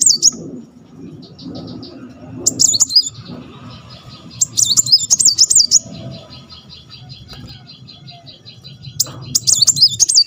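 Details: Energetic Muncang sunbird giving tembakan song meant to spur other birds: bursts of shrill, looping high whistles alternating with a faint repeated ticking trill, over steady low background noise.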